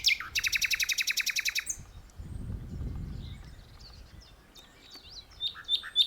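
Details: Nightingale in full song in a tree, opening with a loud, buzzy rattle of rapidly repeated broadband notes, followed by a low rumbling noise and then scattered soft whistled and rising phrases.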